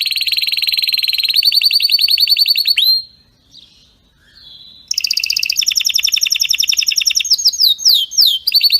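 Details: Canary singing strongly, long rapid trills of repeated notes, with a pause midway, then faster rolling trills and descending sweeps.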